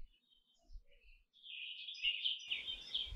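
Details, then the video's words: Canary singing: after a near-silent start, a short rolling warble of high, wavering notes swells in the second half and runs to the end against light background hiss. "Canary Singing"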